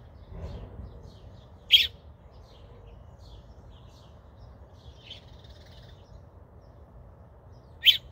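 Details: Young American robin calling for its parent with two loud, sharp high chirps about six seconds apart, separated by faint softer chirps over a low background rumble.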